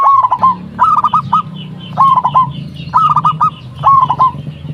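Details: Zebra dove, local type, calling to lure responses from other doves: short three- to four-note cooing phrases repeated roughly once a second over a low background hum.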